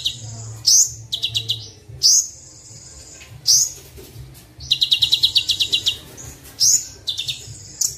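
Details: Sunbird recording used as training and luring audio for captive and wild birds: sharp, high chirps and short metallic trills in bursts separated by brief pauses, over a faint low hum.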